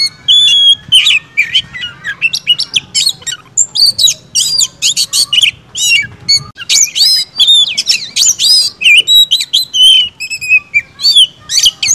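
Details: Oriental magpie-robin pouring out a fast, dense, aggressive song of mixed whistles, rasping scratchy notes and quick high chatter in nearly unbroken bursts, some lower buzzy calls between.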